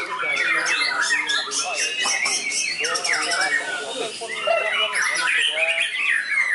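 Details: A contest-trained white-rumped shama on the field sings an elaborate mimicked repertoire. Looping whistled slurs and rising sweeps alternate with rapid ticking bursts, lively and continuous.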